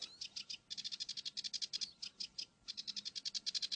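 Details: Foraging northern lapwing chicks give thin, high peeps in quick bursts of about six or seven a second, with brief pauses between runs; little else is heard.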